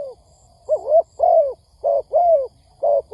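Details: Spotted dove trapping lure: a run of wavering and falling coos, paired and single, uneven in spacing, with faint high ticks above.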